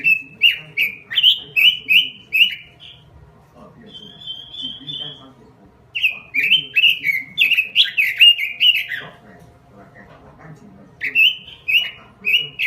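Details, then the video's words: Robin singing in full voice for luring birds: bursts of quick repeated slurred whistles, separated by a thin level trill, with a faint low hum throughout. "Suara Pikat Burung Robin Full Gacor"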